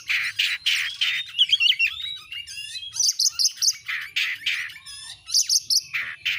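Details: Energetic Oriental magpie-robin song for stimulating birds to puff up and perform: rasping buzzy notes mixed with quick ladder-like trills and sweet slurred whistles, delivered in short, rapidly repeated bursts.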